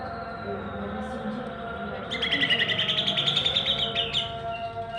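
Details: Greater green leafbird in 'rooll, tembak' style song: after a quiet start, a rapid, loud, buzzy rattling trill of repeated sharp notes for over two seconds, then a brief whistled note, over a steady humming tonal background.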